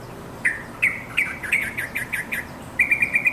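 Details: Yellow-vented Bulbul calling to companions, giving bright, bubbly chirps in a quick irregular run, about three notes a second, then a steady burst of rapid notes; a quiet background.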